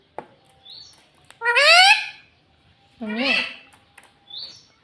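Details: Pet parrot that talks, saying "mummy" and "papa": a long rising word-like sound, a pause, then a wavering syllable, with faint high chirps in between.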